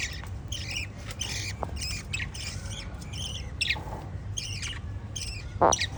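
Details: Lovebirds chirping in short, raspy, high bursts, repeated busily with brief pauses, one sharp louder squeak near the end, above a constant low rumble.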